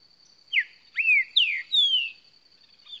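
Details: Green-winged saltator singing a lot: a phrase of four loud, clear whistled notes, each sliding downward, the last ones longer, with a faint extra note at the end over a steady high-pitched whine.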